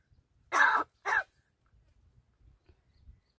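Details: A talking crow from Gargaon, Palghar, gives two hoarse, throaty syllables in quick succession, like a word said twice in agreement, nodding yes to questions asked of it, then faint background rustling.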